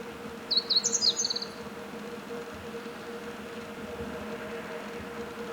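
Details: Singing Meadow bunting: a single bright, jumbled phrase of high chirps and a descending flourish near the start, followed by several seconds of quiet background hum.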